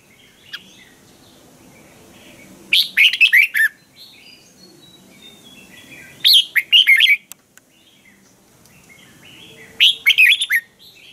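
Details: Red-whiskered bulbul kept in a cage gives an energetic training song: three short, rich, warbled phrases of rapid slurred notes, about every three and a half seconds, with quiet pauses between.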